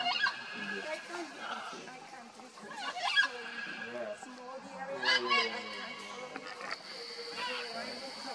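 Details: Macaws at the Buraco das Araras (Macaw Sink Hole) in Mato Grosso do Sul, Brazil, give harsh, grating squawks in loud bursts a couple of seconds apart, with softer chatter between and human voices in the background.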